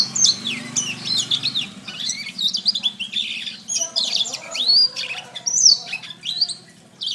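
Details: Canary song for training birds to sing: steady flow of high, looping whistles and rapid trills, each phrase arching down, with a faint low hum behind.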